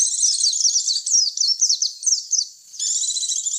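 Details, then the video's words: Lure call for attracting white-eyes: dense high chattering twitter with sliding chirps, a short pause, then a buzzy high trill; clear recording with no other sounds. "Suara pikat pleci"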